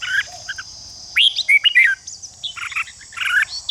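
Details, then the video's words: Red-whiskered bulbul song used to stir other bulbuls into competitive fighting song, Vietnam: bursts of short slurred, warbling whistled notes in quick groups, separated by pauses, over a steady high insect-like hum throughout. "Chào mào ché kích thích chào mào đấu giàn căng lửa"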